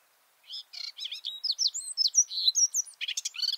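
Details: Male garden warbler singing from a bush, recorded close up with microphones about two meters below him: after a brief pause, a rapid, rich warble of varied chattering and fluty notes, bursting into a dense scratchy flourish at the end.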